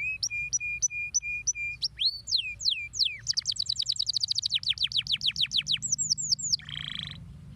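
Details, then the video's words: Stimulating canary song: steady repeated clear whistles, then sweeping slurred notes, a long fast rattling trill of rising notes, a few high slurs and a closing buzzy harsh phrase; low background hum throughout. "estimular rapidamente o som do balbucio dos pássaros"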